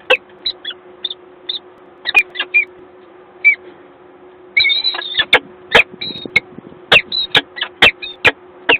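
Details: Peregrine falcons at their nest in Gdańsk, Poland, 1 April 2022: short harsh calls in separate bursts, then a denser run of rasping notes, with sharp knocks and clicks and a steady low hum throughout.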